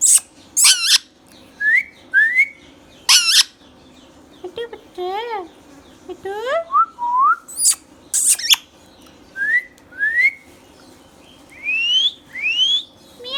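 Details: Green Indian ringneck pet parrot alternating rising whistles, loud sharp squawks and short stretches of voice-like talking, in repeated bursts roughly every second across the recording, indoors.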